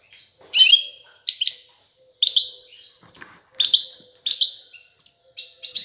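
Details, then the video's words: Male European goldfinch singing strongly to a female to stimulate mating and nest building: a string of bright, high twittering notes and tinkling slurs, each phrase roughly half a second apart. "تغريد الحسون على الانثى"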